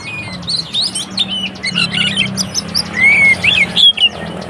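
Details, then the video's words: White-rumped shama giving a fighting song to provoke rival shamas; rapid jumbled chips and twittering notes lead into a pure arched whistle and sharp upslurs, over a low droning hum. "SUARA BURUNG Kacer konslet TARUNG untuk PANCINGAN KACER agar ikut KONSLET"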